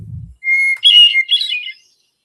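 Hermit Thrush song: a long, pure whistled opening note, then a quick run of higher, swirling flute-like phrases. A brief low thump comes first.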